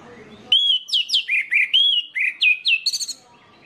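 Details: Varied whistled song of an orange-headed thrush, used to spark singing in other orange-headed thrushes: rich slurred notes rising and falling, then a quick trill of thin high chirps at the end.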